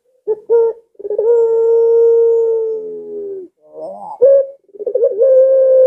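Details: Collared dove, not too aggressive, with a long arched coo. Quick double notes open a long level tone of about two seconds, then a rising accented note and a fluttering start of the next coo.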